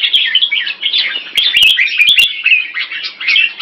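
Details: Short stretch of unbroken, tumbling warbled notes from a red-whiskered bulbul (jambul) at a Singapore singing competition, mixed with a cluster of sharp clicks near the middle.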